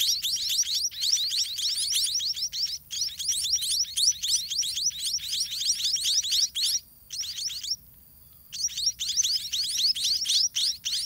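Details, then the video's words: Nestling white-rumped munias, also called white-rumped mannikins, beg as parents bring food to their garden nest: loud, fast streams of high upward-sweeping chirps, several per second, broken by short silences, one lasting about a second. "Parent Birds in Garden Feeding Their Chicks"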